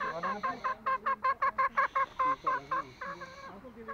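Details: Green junglefowl from Lombok giving a rapid run of short, clipped clucking notes, about three a second, with ringing harmonic tones and a brief pause near the end.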